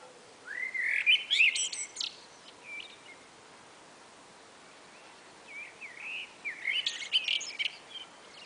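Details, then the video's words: Two common blackbirds calling back and forth on a spring afternoon; two bursts of mellow rising whistles, each ending in high scratchy twittering, separated by about four seconds of quiet outdoor background. "A Conversation between 2 Blackbirds on a Spring Afternoon"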